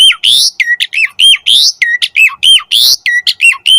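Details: Asian pied starling giving a fast series of repeated chattering notes, each a harsh burst with a ringing tone, about three or four a second with some louder rasps.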